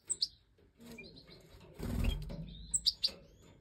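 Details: Captive Major European goldfinches, a hen feeding the last five chicks that jumped from the nest in the 2024 aviary breeding: sharp, very high chirps in quick pairs at the start and end, with rustling and wing-flutter between.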